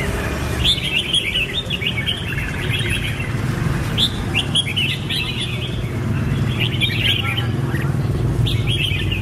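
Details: Red-whiskered bulbul gives repeated clusters of quick whistled, bubbling notes, about four phrases separated by short pauses, with vehicle noise underneath.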